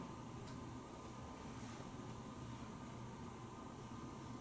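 Steady broadband machine noise, like a fan or air conditioner, with a low hum fills the recording throughout and no animal sound is heard.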